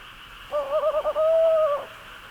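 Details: Male Tawny Owl at night in a forest in Bonghwa, Gyeongbuk, Korea, in the breeding season, nesting in an old chestnut tree; the call signals he has brought prey. One drawn-out, mid-pitched call, wavering then steady for about a second, over faint hiss.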